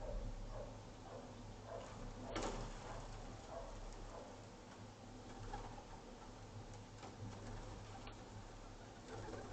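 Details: Rock pigeons at a bird feeder camera in Monterey County, California, on 4 April 2023 give low, soft throaty coos over a steady low hum, with a sharp tap or two in the background.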